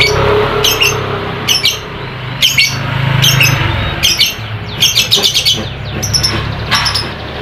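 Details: Lovebird calls played to stimulate lazy lovebirds to sing: repeated short bursts of sharp, squeaky chirps, roughly one every second, some grouped in quick runs, over persistent low background noise.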